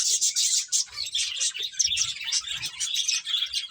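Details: Several finches feeding, giving rapid overlapping tweets that are thin and high-pitched and form an unbroken busy twitter, with faint low knocks in the background.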